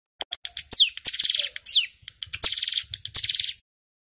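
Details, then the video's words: Male Bar-winged Prinia (ciblek gunung) in loud, rapid 'ngebren' song used to lure wild birds: short chips, then dense buzzy rattling bursts, with a couple of quick downward-sweeping whistles between them. "Suara CIBLEK Gunung GACOR PIKAT - Pancingan Ampuh Bikin Ciblek BAHAN Cepat EMOSI Bunyi NGEBREN"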